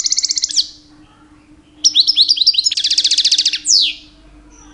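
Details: Two-year-old goldfinch in mating season, singing to attract females: fast buzzy trills, a series of sharp chirps, another long buzzing trill and a descending swept note, with a brief silent gap early on.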